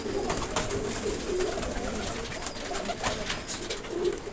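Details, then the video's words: Blue-coloured pigeons kept for pigeon flying and ready to fly, giving soft low coos repeated in short phrases over steady background hiss with faint clicks. "نیلے رنگ والے کبوتر بازی میں اڑنے کے لیے تیار"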